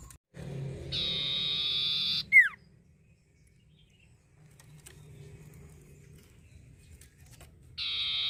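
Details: Common Iora, played as a lure to stimulate birds to sing: a dense, buzzy trill lasting over a second, then a sharp, falling whistle, a quiet gap, and the trill starting again at the end. A low hum is heard early on.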